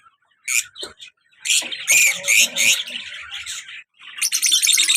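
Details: Pet lovebird couple, colour male and black-mask female; sharp squeaks, then a run of loud rasping squawks, ending in quick high chattering.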